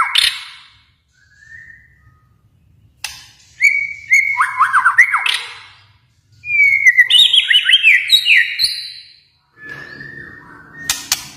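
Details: Kalimantan white-rumped shama delivering loud bursts of varied whistled song, fast descending slurs and chattering notes, separated by short pauses and a few sharp clicks.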